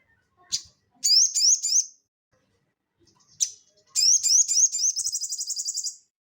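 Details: Crested jay (sogon) singing vigorously in the ngeleper style, kept as training audio for cage birds: a sharp high note, a run of rising buzzy notes, a pause, then a long fast rattling trill of even repeated notes.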